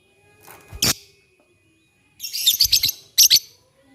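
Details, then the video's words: Lovebirds singing back and forth in the morning. A single sharp squeak is followed after a pause by a fast series of rasping, high chattering notes and two piercing squeals. "SUARA BURUNG LOVEBIRD PAGI HARI. 2 DETIK LANGSUNG BERSAHUTAN"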